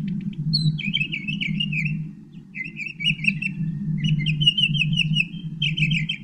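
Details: Northern mockingbird delivering phrases of rapid, trilled chirps, each burst repeated in quick series for about a second, separated by short pauses, with a constant low-pitched hum underneath.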